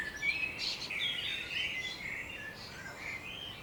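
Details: Morning birdsong on the edge of Budapest, Hungary, with several birds at once giving bright chirps and quick warbled phrases, a louder burst near the start, then steady twittering against faint environmental noise.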